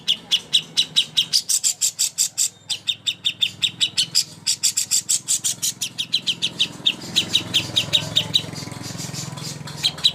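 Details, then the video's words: Master song of cucak hijau for bird contests: long, dense series of crisp high chirps, some with bright upper overtones, rhythm loosening toward the end over a low background hum. "masteran ampuh untuk burung cucak hijau Lomba"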